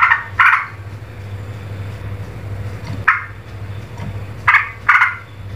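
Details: Agitated streak-eared bulbul, known locally as trucuk, making loud, rasping, noisy bursts, some doubled, spaced a second or more apart over a constant low background drone.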